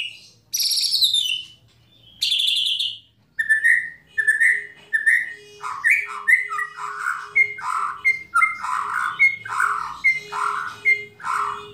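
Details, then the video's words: White-rumped shama (murai batu) in a recording meant to provoke other shamas into singing: loud descending whistles, then a long varied run of short slurred notes and chips packed closely together, with a steady low hum underneath. "Kretekan Dan Tembakan Murai Batu Memancing Emosi Murai Langsung Gacor"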